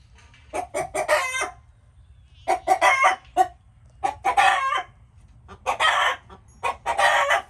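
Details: Chickens making noises: clusters of sharp clucks ending in coarse squawks, four bursts spaced by quiet pauses of about a second.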